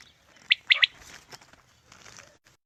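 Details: Quail call played to lure quail for morning hunting: a quick burst of three sharp, high, clipped notes, then faint hiss and quiet.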